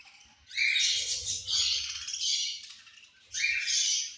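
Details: Budgerigars chirping at feeding time, several birds together: bright, scratchy, warbling chatter with rising whistled notes, in bursts separated by short pauses, over a faint low hum.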